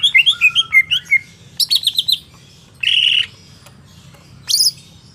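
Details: Market-bought greater green leafbird in full song: a quick tumbling series of whistled notes, a rapid burst of high chips, then a harsh buzzy rasp and one shrill squeal.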